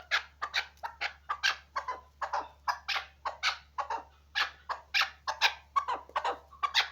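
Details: Chukar partridge used for hunting uttering an uneven string of sharp, harsh clucking notes, around two a second, over a steady low hum.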